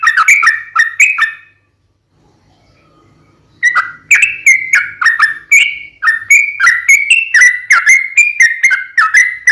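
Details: Sooty-headed bulbul song for luring others: a burst of fast bright whistled notes, a short pause of near silence with a faint low hum, then a long run of rapid chattering whistles, about two per second.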